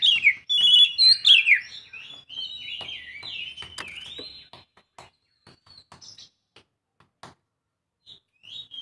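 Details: Young Oriental magpie-robin opens with loud, fluty, swooping whistles and sliding phrases for several seconds, then fades to scattered soft notes and faint clicks.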